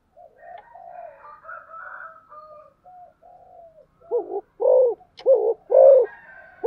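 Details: Spotted dove in the fast, vigorous thúc gù cooing style. Quiet whistles from other birds come first, then four loud, deep, wavering coos in quick succession.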